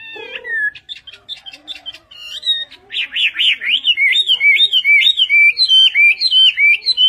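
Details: Chinese hwamei of the western type, singing in Vietnamese style: a fast buzzy opening, then a long run of loud rising-falling whistled notes about twice a second, sweeping and warbling, with no other clear sounds.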